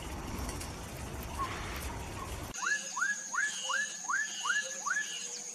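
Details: Black-capped donacobius giving a series of seven loud, rising whistled notes, each sharply upslurred and spaced about a third of a second apart, after a stretch of rushing noise; a steady high insect whine runs underneath.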